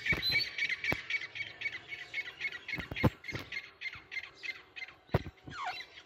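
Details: Caged pair of grey francolins calling actively: a rapid series of harsh, clipped notes repeated about four per second, with scattered knocks and clicks in the background.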